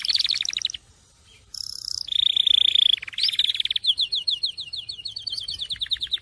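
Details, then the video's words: A Syrian canary sings bright, varied phrases: rapid trills, a sustained high whistled roll, then fast repeated chirping notes, all high-pitched. "تغريد كناري السوري"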